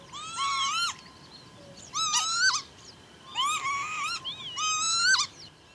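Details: Northern lapwing recorded in July 2025 at Pyarkovichy, Belarus: four wheezy, nasal, harmonic-rich calls, each about half a second long, rising slightly then dropping sharply at the end, spaced irregularly over six seconds with a quiet background.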